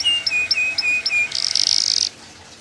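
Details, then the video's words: Yellow canary singing short whistled notes alternating with high chips, then a harsh rapid buzzing roll lasting under a second, followed by quiet. "CANARY YELLOW CANARIO FIGHTER"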